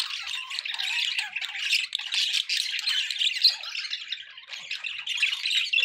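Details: Several pet budgies warbling together in a continuous busy stream of high twittering, clicks and rasping squawks, with brief dips in volume, set against constant background noise.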